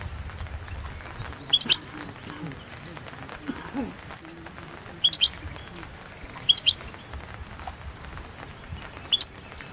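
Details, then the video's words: Goldfinch of the subspecies balcanica, recorded for the 2022 world goldfinch song championship, gives brief clusters of two to four tinkling very high notes about every one and a half seconds, separated by near silence. "World Championship in Goldfinch Song"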